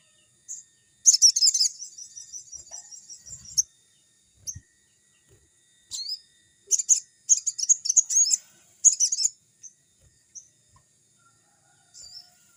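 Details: Crimson sunbird, lively song used for training young birds; a long, rapid, high chattering trill opens, then sharp metallic chips and several short, tumbling bursts, with faint soft sounds below.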